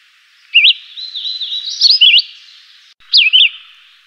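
A Chivi Vireo sings short, sweet whistled phrases, each a quick rising-and-falling slur, given in brief bursts with pauses between.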